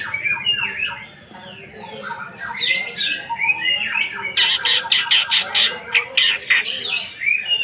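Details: Greater green leafbird, sung to provoke singing: loud squawky chatter and sliding whistles, then a rapid series of harsh, clipped notes repeated several times a second in the second half.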